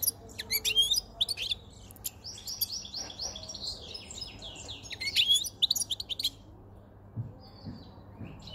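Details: Near spring, a caged male European goldfinch with a white chin, wild-caught five months ago, sings a fast liquid twitter mixing sharp tinkling notes with a buzzy, rattling run in the middle.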